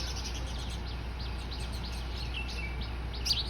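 Eurasian tree sparrows give a steady patter of short, bright chirps, several birds overlapping, over a low constant hum.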